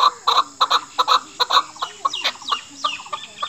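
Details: Chukar partridge calling, hunter's lure for a female, national bird of Pakistan: doubled clucking chuk notes that soften into thinner, squeakier upward-sweeping calls toward the end, with a faint low hum underneath.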